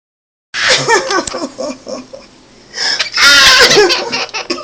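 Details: A pet Quaker (monk) parakeet giggles in response to its owner's silly noise: a quick run of high, bouncing giggles like a baby's laugh, then a louder burst of mixed squeaky sounds.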